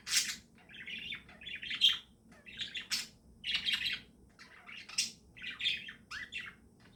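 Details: Pet budgerigars chattering in the morning, with irregular phrases of warbled chirps, short squeaks and scratchy notes roughly every second and no other clear sounds.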